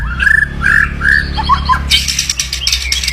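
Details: White-rumped shama (murai batu) giving loud, aggressive kretekan, said to quickly rouse rivals' temper and train their nerve: a few clear whistled notes, then a rapid burst of harsh, rattling crackles over a steady low hum.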